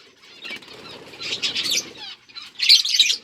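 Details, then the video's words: Budgies chirping while eating seeds, recorded October 30, 2023: a busy wash of high twittering swells after a soft start, ending in a loud, bright burst of squeaky notes. "Budgies eating seeds | Budgies chirping sound"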